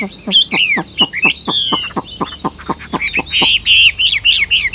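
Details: Captive Chinese hwamei from Vietnam giving a fast series of sharp, evenly spaced clicking notes, about four per second, then breaking into bright rising and falling whistles.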